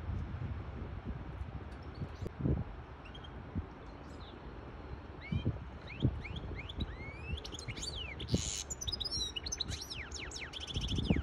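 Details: Hybrid goldfinch singing to tutor young birds and excite a female for mating. Early seconds hold mostly low thumps and rumble; from about five seconds come thin rising and falling whistles, a harsh buzzy burst and rapid high trills over steady low background noise.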